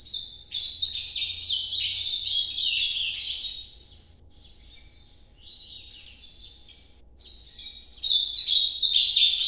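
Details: Nordeste-style noturno song of an ultramarine grosbeak: two bursts of quick, stepping, warbled high notes separated by a quieter gap of soft fragments, ending loud again.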